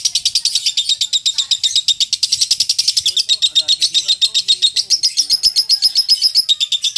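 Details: Lovebird in winning contest form, delivering a long continuous chattering trill of quick shrill notes about four per second, the pitch shifting slightly higher toward the end.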